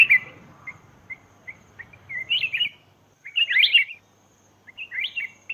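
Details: Black-crested bulbul calling, meant for luring wild birds: a string of short clipped notes, then richer bubbling whistled phrases rising and falling in quick runs, with faint low background hum.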